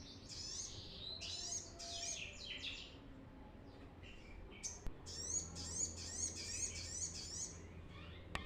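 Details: Brown-throated sunbird in lively song, used as a lure for untrained birds: clusters of high, sweeping chirps, then a steady run of bright repeated twittering notes, with a few sharp clicks.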